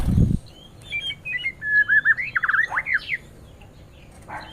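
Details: Male white-rumped shama in a small aviary, fed mealworms while other caged birds such as green leafbirds crowd in; a varied run of clear whistled notes, slurred up and down, quickening into rapid looping phrases after an opening thump.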